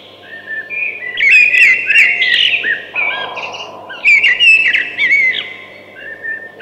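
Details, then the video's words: A thrush sings two rich phrases of fluty, warbling whistles mixed with quick chirps and clicks, a brief pause between them, over a constant low hum. "Beautiful Thrush Singing"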